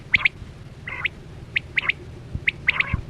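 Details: Quail lure call for net hunting, 2024-25 season: sharp clipped notes in doublets, with a few softer buzzy, layered notes between them, repeated roughly once a second against steady low-pitched noise.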